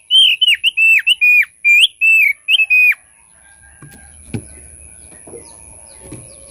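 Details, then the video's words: Thick-billed white-eye lure song: a quick run of about ten short, clear whistled notes, each sliding down with a hooked tail, packed into three seconds, then near silence with a few faint knocks and thumps. "pancing bunyi burung opior paruh tebal"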